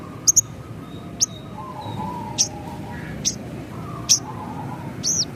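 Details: Javan bush lark used as training material for kept songbirds: single thin, high chirps spaced about a second apart, some paired, against a constant low background drone.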